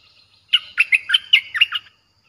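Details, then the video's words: Streak-eared bulbul song with a fierce tone, played to draw in wild birds: a continuous run of about eight quick, bubbly, warbled chirps lasting just over a second. "เสียงนกดอกแตงEp.98เสียงดุดัน เปิดต่อนกป่าตัวดุๆ"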